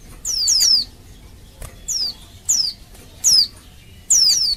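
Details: Oriental white-eye female calling for males, luring them to sing. A rapid triple of high falling whistles opens, followed by single steep down-slurred notes and a closing pair; one faint click midway.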